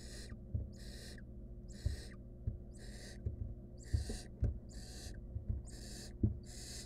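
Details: Wild barn owl nestling alone with a stolen rodent in a research nest box: a rapid run of about eight short, harsh hisses, evenly repeated, with knocks and rustling from the box floor.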